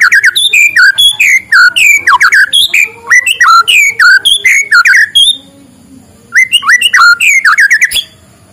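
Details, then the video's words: White-rumped shama singing in the morning, used to stimulate lazy birds: loud, rapid series of rich whistled and slurred notes swooping up and down, varied phrases tumbling quickly, a brief pause, then the whistled notes resume. "suara muraibatu di pagi hari, untuk pancingan muraibatu malas bunyi"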